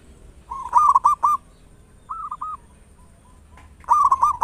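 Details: Big-voiced local zebra dove used as a lure to get other doves singing quickly: three bursts of rolling, bubbling coos on one pitch, each under a second, separated by pauses of about a second.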